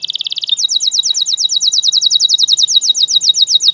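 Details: Tutor song of a canary for young birds: a quick low-pitched roll switches abruptly into a higher, steady trill of short repeated notes, about seven each second.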